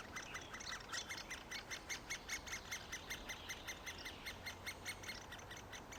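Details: Great spotted woodpecker nestlings near fledging, after three weeks of parental feeding: faint, rhythmic, slightly harsh calls repeated about two to three times a second in a steady chorus over a low background hiss.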